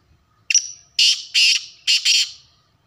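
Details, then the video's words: A black francolin gives its call: a sharp note trailing a thin high tone, then two rasping bursts and a final doubled burst, loud and clear against a quiet background. "kaly tetar ke awaz | Kaly titar ki awaz"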